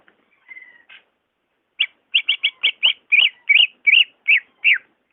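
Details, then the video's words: Greater green leafbird song played to coax a reluctant caged bird: a soft, thin drawn-out whistle and a faint note, a second of silence, then a lively string of about eleven bright chirped whistles that grow louder and more wavering. "SUARA ASLI BURUNG CUCAK IJO"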